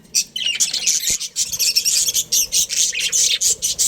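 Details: Chirping budgerigar colony; a rapid series of short, sharp high chirps and scratchy chatter repeated several times a second, with a brief click near the start.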